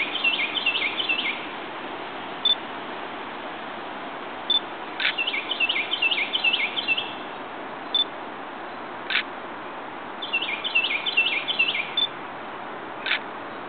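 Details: Rose-breasted Grosbeak in Ellicott City, Maryland, on May 5, 2011, singing three rich, warbled, robin-like phrases a few seconds apart, with single sharp squeaky notes in between; faint background hiss.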